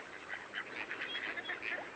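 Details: In winter (January) at Minsmere, distant Mallards give high, thin, far-carrying whistled contact calls and soft chattering notes, several birds overlapping in a steady stream over a constant hiss.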